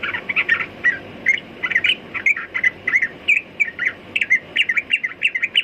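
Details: Steady run of quick, varied chirps and short whistles from a sooty-headed bulbul, roughly three or four notes each second, over soft background hiss.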